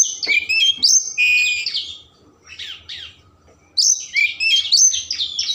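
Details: Oriental magpie-robin singing a richly varied 'isian mewah' song, used to stimulate emotion and tail opening: rapid bursts of clear whistles and sweeping chirps, a short quieter pause with soft notes, then another dense run of varied phrases.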